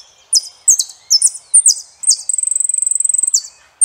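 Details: Saffron finch singing high, sharp downslurred chips in an uneven series, then a fast, even rattling trill held for about a second before another chip.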